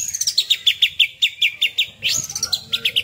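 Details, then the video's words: Oriental magpie-robin (kacer) after its first molt, singing 'tembakan' style: a fast string of sharp whistled notes falling from high to mid pitch, about four a second, with a rising sweep midway. "Tembakan Kacer Super Pedas Baru 1 Kali Ganti Jubah"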